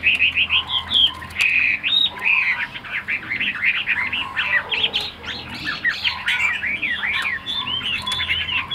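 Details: Hand-tamed caged Chinese hwamei in full song, pouring out rich, varied whistled phrases with quick up-and-down slurs, nearly continuous for several seconds, plus soft background clicks.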